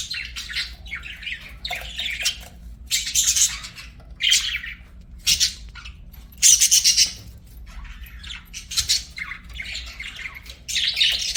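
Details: Budgies kept as pets sing in a long run of irregular chattering phrases, scratchy squeaks and bright chirps coming in clumps about every second, with a few louder trilled notes midway.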